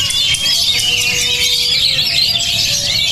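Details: Kacer (Oriental magpie-robin), promoted as a bold, high-emotion singer, gives loud, rapid high trills and piercing whistles over a faint steady low tone running through the passage.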